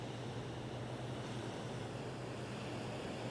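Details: Constant wash of waves and wind mixed with a low motor hum, without any animal voices.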